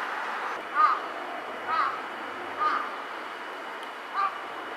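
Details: Large-billed crow calling from a building rooftop: four harsh, short caws spaced about a second apart, each a brief burst standing out above a constant background hiss.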